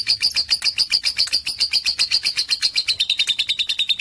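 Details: Lovebird of about three and a half months, described as a confident singer among adults and good for tutoring; a steady stream of sharp, high-pitched chirps repeated rapidly, sliding slightly lower toward the close.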